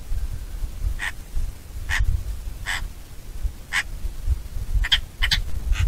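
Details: Eurasian magpie (Pica pica) uttering harsh, rasping, chack-like notes, first spaced roughly one per second, then quickening into a rapid chattering burst near the end, over a constant low rumble of wind.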